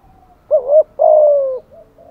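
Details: Spotted dove cooing as a lure: a quick wavering double note followed by a long, steady, gently falling low coo, then a faint trailing note.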